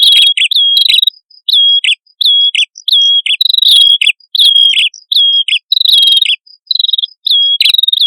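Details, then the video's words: Male and female red-headed prinias sing together in a lure recording: clear, high whistled notes that each dip sharply at the end, repeated in quick overlapping phrases, with fainter high tinkling notes above. "Suara Prenjak Kepala Merah Jantan Dan Prenjak Kepala Merah Betina Gacor"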